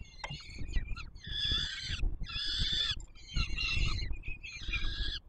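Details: Peregrine falcon chicks at the Palace of Culture and Science nest, Warsaw, Poland, 7 July 2022, begging during feeding: a short squeak, then four long, grating wails of about a second each, separated by short gaps, over low rumble.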